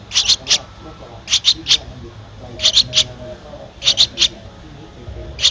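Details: High, insistent chirp triplets from a 13-day-old Streak-eared Bulbul nestling in Ubon Ratchathani, Thailand, 15 April 2023, repeated about every one and a quarter seconds above a low background hum.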